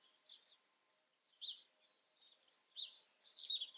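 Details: European robin in the Eifel, Germany, filmed during nature observation: faint, thin high-pitched notes and short twittering phrases, scattered and irregular, growing busier toward the end over a quiet background.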